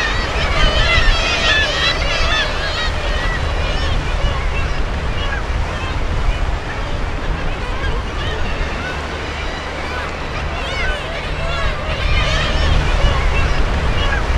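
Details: Black-legged Kittiwakes at a breeding colony on Seaford Head, 2007, during arrival, nest preparation and mating: a dense chorus of many nasal, wavering calls overlapping without pause over a steady roar of surf and wind.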